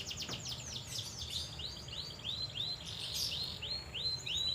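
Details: Asian fairy-bluebird singing actively while being sunned in Banjarmasin: a rapid series of short, high, arched notes, roughly three to four per second, sliding down at the ends. A steady low hum sits underneath.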